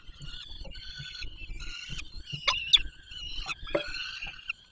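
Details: Peregrine falcon young begging while fed by an adult at their Warsaw nest, Palace of Culture and Science, Poland, 7 July 2022: thin, strained wailing calls, some rising sharply into shrill squeals, tumbling over one another in quick succession.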